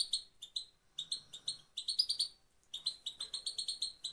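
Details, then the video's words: European goldfinch singing in Afghanistan, meant to motivate males: bright, liquid twitters and tinkling trills delivered in quick phrases with short silences between them. "motivation for male پت پت مادی برای مست"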